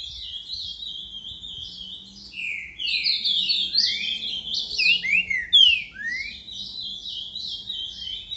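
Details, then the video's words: Green-winged saltator singing in the boca mole song style, on a Tuesday, 29 December, at 10:40; loud, rich warbled phrases of quick sliding whistles, rising and falling, forming a continuous tumbling strophe after a quieter opening, with a low hum underneath. "Trinca ferro boca mole boi"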